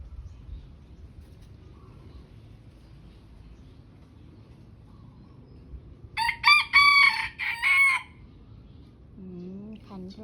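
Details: Bantam chickens crowing together: after a quiet stretch of low background hum, one loud harsh crow of about two seconds with several stepped phrases, followed by a short rising human voice at the end.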